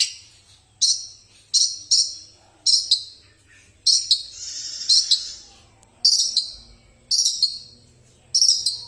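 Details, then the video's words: Long-tailed shrike, a fighting-class bird singing in full voice: harsh, rasping bursts of chattering notes at irregular intervals, roughly one a second, with short pauses between. A faint low hum sits underneath. "Spek petarung Burung cendet asli gacor"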